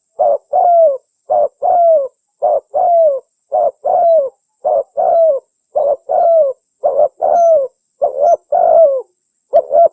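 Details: Local spotted dove (tekukur) calling, a recording played to lure wild doves and train caged ones; repeated low coos in groups of short notes and longer slurred, falling coos, steady through the clip over a faint high hiss.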